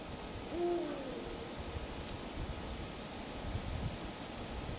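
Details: Deep single hoot from a male eagle-owl calling at twilight, 2 March 2010, Falkenberg municipality in Halland; steady low rumbling background noise continues after the call.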